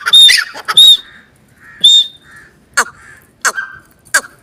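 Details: Partridge uttering harsh, ringing squawks: two loud calls close together, a third after a gap, then three short sharp notes spaced about two-thirds of a second apart.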